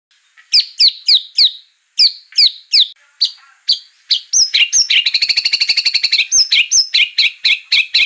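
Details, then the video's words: White-rumped shama song played as a lure to provoke singing: a run of sharp upslurred whistles, then a fast buzzy trill and chattering notes. "pancingan murai agar narung gacor emosi"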